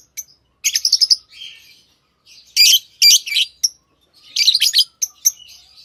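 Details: High rasping lovebird chirps in stuttering runs of rapid notes, separated by brief quiet spells, with softer twittering between the louder bursts.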